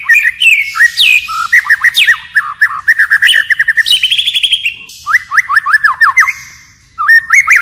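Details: White-rumped shama pouring out forest-style song that keeps switching phrases, with fast rhythmic chains of clipped whistles, a high buzzy run, then a short silence before it starts again.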